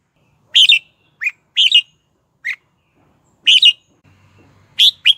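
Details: Red-whiskered bulbul lure singing to draw wild birds to fight, short bright warbled phrases alternating with single sharp chirps, spaced by brief silences, clean and loud.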